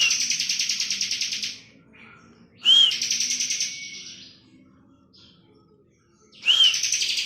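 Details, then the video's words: Ngebren-style song of a bar-winged prinia. A trailing buzzy trill is followed by a pause, then a bright arched note leading into a dense, fast pulsing buzz, and a fresh phrase starts at the end. "ciblek kristal gacor full ngebren"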